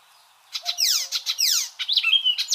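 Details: Icterine warbler song starting after a brief quiet moment, with rapid harsh sweeping down-slurred notes, then squeaky rising whistles and a clear held whistled tone near the end.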